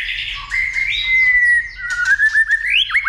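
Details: White-rumped shama being stimulated to sing and fight, with tail-flicking, trained to sing many voices; long sliding whistle near-level then descending, ending in quick rising and dropping whistled notes.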